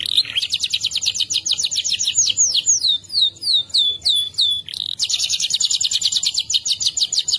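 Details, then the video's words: Canary in a long rolling song used as a training master for other songbirds: continuous high rapid trills and rolls with a stretch of swooping slurred notes in the middle, then the fast roll resumes. "Suara kenari Gacor panjang ngerol. cocok buat masteran super ampuh"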